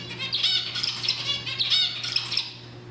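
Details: Zebra finch singing to excite and stimulate females toward mating: continuous buzzy, nasal syllables strung together quickly, bright and high, with sharp accented notes recurring throughout over a faint steady hum.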